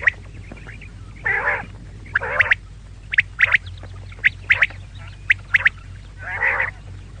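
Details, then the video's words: Calls of a female quail: nasal, buzzy squawks alternate with bursts of quick, sharp high notes, roughly one call a second, over a steady low hum. "female quail call maadi batair ki awaz"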